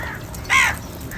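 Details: A crow, one of a large gathering calling for food, gives a single short, harsh, nasal caw with a flat top, with fainter calls and background noise around it.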